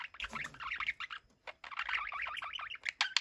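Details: Two pet budgerigars chattering to each other indoors: dense warbling, chirpy twittering in quick runs, with a brief pause near the middle, then more rapid chatter and sharp clicks.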